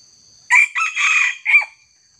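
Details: Red junglefowl crowing while junglefowl are trapped with a decoy cock set against a young wild bird: one short, loud, four-part crow lasting about a second and a quarter, harsh and strongly harmonic, ending in a clipped final note, over a steady high insect whine.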